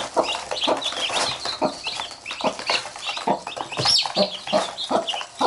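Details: Chickens: a mother hen with her chicks; the chicks bite her and she pecks back. Dense high, rapid chick peeps throughout, mixed with short low clucks and scuffling, pecking clicks.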